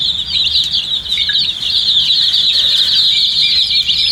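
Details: Loud, unbroken high-pitched peeping from many thirsty colour chicks at drinking water, the shrill notes merging into a nearly continuous chorus.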